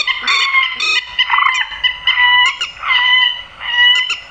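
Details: Night-netting lure recording of a grey-headed swamphen giving drawn-out nasal wailing honks, some bending upward into squeals, several long calls in close succession with no other sounds.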